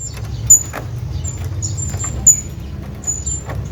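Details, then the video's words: A hanging parrot calls his friend with two clear high, thin squeaks and several fainter short whistles, set against steady low background noise. "hanging parrot calling his friend"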